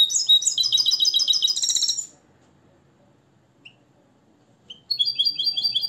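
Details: Moroccan captive goldfinch, hand-reared from the nest and trained to a limpio song based on Tarkiba Dahabia 2020. A rapid burst of tinkling double notes lasts two seconds, a pause with two soft chips follows, and then the bright trill resumes.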